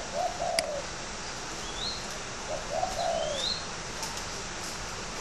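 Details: Competition spotted dove from a breeder in Ba Vì, Hanoi, Vietnam: low mellow coo phrases, while another bird gives thin, high, rising whistles and a sharp click sounds early on.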